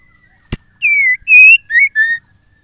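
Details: A female white-rumped shama calls, a sound said to make males sing readily. A sharp click comes first, then four loud, pure whistled notes in quick succession: one sliding down, one rising, a short upward slur, and a final lower level note.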